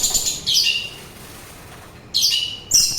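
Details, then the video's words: Orange-headed thrush, recorded for relaxation and as a lure for birds: two bursts of high, slurred, descending whistles separated by a quiet pause. "Begitu Syahdu Suara Anis Merah"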